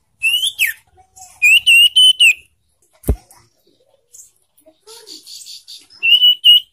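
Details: Young ashy tailorbird (sirtu), recorded to stimulate caged birds into song: short bursts of bright, piercing whistled notes on a steady pitch, several given in quick succession, with a sharp click and soft murmurs between bursts.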